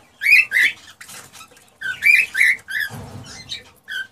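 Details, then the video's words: Male cockatiel singing to stimulate a female to mate and breed: bright, harmonic chirps in quick pairs, then a pause and another burst of rising chirps ending in short whistled notes, with a soft low rustle near the end. "تغريد طيور الكوكتيل ( الكروان ) لتحفيزها على التزاوج والانتاج"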